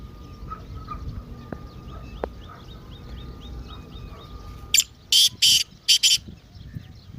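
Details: Partridge (teetar) in full lively calling, played to get a silent bird calling: soft repeated chirps from a small bird, then five loud, coarse, buzzy bursts in quick rhythm near the end.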